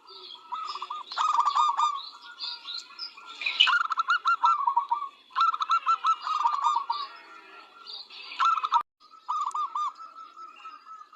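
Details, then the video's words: Zebra dove of local stock singing repeatedly: clusters of quick, rolling low coo notes in several phrases separated by short gaps, mixed with high chirps and twitters of other caged birds. "Masteran burung perkutut"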